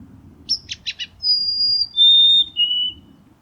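A White-throated Sparrow gives a few quick scratchy notes, then three long, clear whistles, each held steady and stepping lower in pitch; faint low rumble behind.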